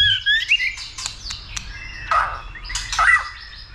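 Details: White-rumped shama stimulated for singing and fighting: harsh, scratchy squawking notes mixed with brief whistled slurs, delivered in uneven bursts.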